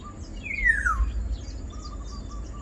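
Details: Black-naped Oriole (Oriolus chinensis), a single bird: one loud, harsh call sliding steeply downward from high to low pitch, lasting about half a second, over faint insect hum and distant bird chatter.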